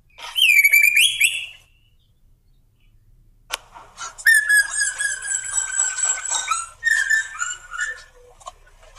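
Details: Lure song of a male Black drongo, used to get other birds singing: a rising whistled phrase, a gap with a sharp click, then long buzzy harmonic notes and a lower wavering phrase.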